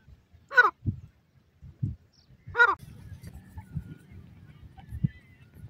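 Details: Grey francolin giving two short, harsh, buzzy notes about two seconds apart, each sweeping down in pitch, over low thumping and handling noise.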